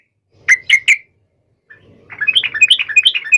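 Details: Sooty-headed bulbul singing hard to call out a rival and prompt an instant reply. Three loud, clear chirps, a silent gap, then a rapid run of bubbly, tumbling notes.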